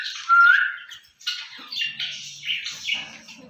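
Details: Pet green ringneck parrots playing outside their cage: a loud rising squawk, then a run of shorter chirping, warbled chatter notes about every half second, with faint low clicking beneath.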